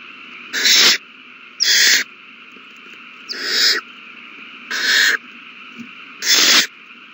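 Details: Begging owl chicks at a nest being fed, 27 March 2020; five rasping, noisy hiss-screeches spaced more than a second apart, each lasting about a third of a second, over a constant background hum.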